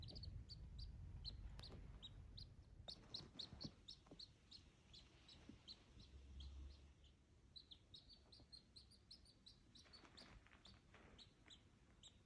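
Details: A duckling kept with dachshunds peeps steadily, giving high, thin notes repeated several times a second.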